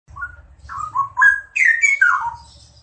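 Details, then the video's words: A pair of straw-headed bulbuls in full song: rich, loud whistled notes that slide and warble between low and higher pitches, building to a bubbling burst near the end. "Sepasang Cucak Rowo Gacor"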